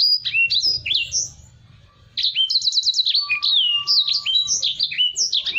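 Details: High, lively song of a Black-throated canary meant for tutoring other cage birds: fast slurred whistles and short trills, a pause near two seconds, then dense bursts of rising and falling notes.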